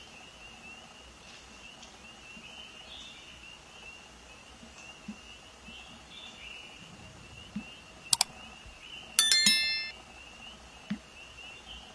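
A faint, steady high hum runs under outdoor background noise, broken by two sharp, ringing bell-like dings; no clear animal call stands out.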